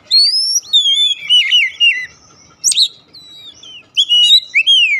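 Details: Oriental magpie-robin song for luring a silent bird into singing: long clear whistles, rising then falling, mixed with buzzy slurred notes, a brief pause, then more varied loud whistled phrases.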